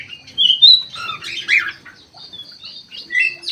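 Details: Active bulbul song from an aviary: clear whistled notes and quick slurred phrases, some rising and falling, delivered in short bursts separated by brief pauses.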